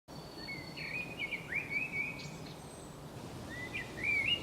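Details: Common blackbird (Turdus merula) singing on the Camino de Santiago path in Zamudio on 28 March 2019: soft, fluty warbled phrases, each ending in a brief higher twitter, over a steady hiss of background noise.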